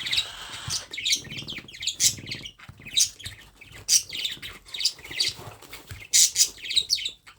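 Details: Hand-fed parrot chick calling insistently with very high, squeaky chirps and raspy notes, about sixty a minute in quick uneven runs, plus a soft low hum behind.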